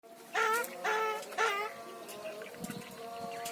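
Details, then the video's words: Javan myna (jalak kebo) talking: three loud, voice-like syllables rich in harmonics, each about half a second apart, then softer murmuring sounds over a quiet background. "Jalak Kebo Ngomong"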